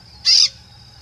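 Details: Peach-fronted Parakeet (periquito-rei) perched high up in misty, foggy weather with weak sun at Serrinha; a single brief harsh, screechy note lasting about a quarter second, over a steady high insect-like hum.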